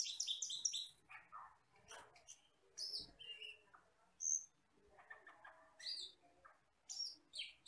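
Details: Asian glossy starling from the forest, recorded as song-training material: a quick burst of high rattling notes opens, followed by scattered sharp whistles, buzzy chirps and short scratchy phrases with pauses.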